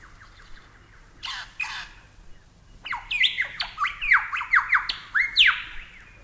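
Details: Superb Lyrebird: two harsh rasping notes, then a rapid series of loud whistled notes dropping sharply in pitch, repeated in a rolling, cascading rhythm, clear against a quiet background.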